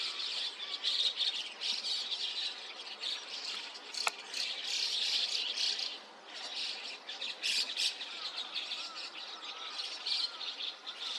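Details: Large starling flock, white-cheeked with chestnut-cheeked, at 5 a.m. on 29 June 2026 in Takata-cho, Rikuzentakata, Japan; raucous squawking chorus rising and falling, a sharp click midway, brief lull after six seconds.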